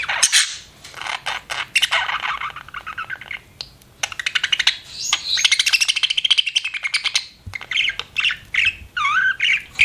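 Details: Budgerigar kept as a pet, chirping: long buzzy warbling chatter with rapid clicking pulses, swelling into a dense scratchy stretch, then a few rising and falling whistled notes near the end.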